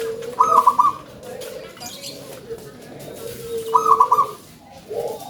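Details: Local zebra dove with a loud voice, two clear stuttering high coo phrases about three seconds apart over softer low trilling from other doves and faint background noise.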